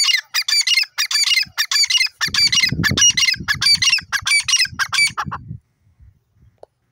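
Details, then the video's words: Francolin (teetar) giving a rapid, dense run of harsh, squawking high notes, many strokes per second, then stopping abruptly, with low rumbling noise mixed in the middle. "teeter bird playing, teeter ki awaz, teetar bird ki awaaz"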